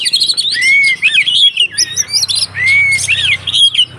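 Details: Fighting song of a white-rumped shama, used to provoke other shamas into singing: loud varied whistles with long clear upslurred notes and rapid chattering phrases, repeated in bursts.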